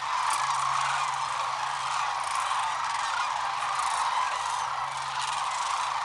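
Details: A big flock of sandhill cranes lifting off in the morning along the Platte River at Rowe Sanctuary, Nebraska, recorded on a point and shoot camera: a dense, continuous chorus of overlapping rolling, trumpeting calls with no pauses.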